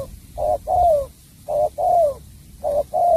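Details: Bầu bạch đề singing by a spotted dove from Cà Mau, Vietnam: three rhythmic pairs of deep coos, each a clipped opening note and a longer, gently falling one, loud and clear.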